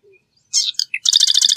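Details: Marsh wren song fragment: a short harsh burst and a couple of chips, then the start of a very fast, dense buzzing trill.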